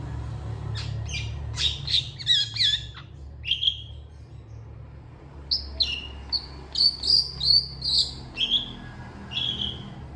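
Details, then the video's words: Long-tailed shrike singing excitedly with long bursts, answered by other shrikes: rapid runs of sharp, high chirps and short whistled notes in two busy phrases separated by a quieter pause, with a low background rumble. "CENDET FULL TEMBAKAN PANJANG . . PENTET GACOR DOR FULL EMOSI CEPAT DI RESPON CENDET LAIN"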